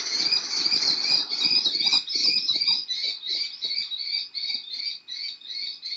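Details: Fledgling kestrels begging from their father in Théding, France, 19 July 2023: a loud, squealing, harmonic whine, smooth at first, then breaking into regular pulses about two and a half per second, with soft rustling noises underneath.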